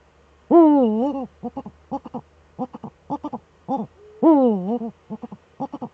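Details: Pair of Eurasian eagle-owls sitting in their nest hollow, webcam recording from 6 March 2013: two drawn-out, wavering nasal wails separated by rapid clusters of short clipped notes.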